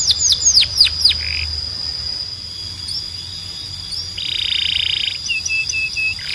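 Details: Belgian canary opening with a few falling whistled sweeps, then a quieter stretch, a long buzzy roll and a short series of level whistled notes.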